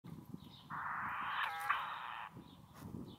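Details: Sacred kingfisher (kotare) chicks begging, hidden deep inside a mud nest in a fallen tree on a beach at South Titirangi: one sustained harsh, rasping buzz lasting over a second, with faint background noise.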